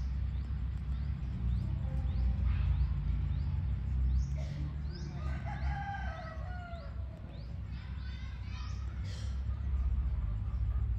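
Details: A village rooster gives a drawn-out crow midway, a stack of harmonics that falls away at the end. Small birds chirp high in the background over a steady low rumble.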